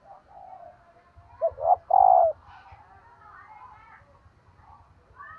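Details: Female dove calling to rouse males: two short rising coos, then a longer steady coo near the middle. Chattering birds and a low rumbling hum sit in the background.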